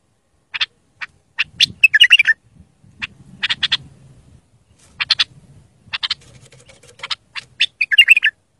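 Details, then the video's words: Bulbul song used to teach young birds: repeated sharp clicking notes and two brief warbled flourishes over a low murmuring background hum. "تغريد صافي يفيد اذا عندك بلابل صغار او بلبل ميغرد"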